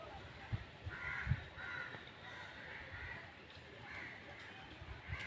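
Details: Crow heard quietly, giving several drawn-out raspy caws in succession, with a couple of low knocks and steady background hiss.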